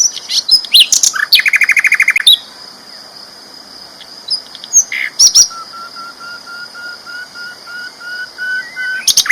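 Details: Sikatan londo flycatcher in full loud song: chirps open into a rapid buzzing trill around 1.5 to 2 seconds, then a quieter gap with a long, faint, even whistle, and a few sharp notes at the end; a steady high tone runs underneath.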